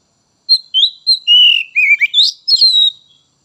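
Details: Kacer, or Oriental magpie-robin, an untrained spotted young bird, recorded to stimulate other birds. A run of varied clear whistles, first falling, then a scratchy twittering flourish, about eight notes in under three seconds, with no background noise.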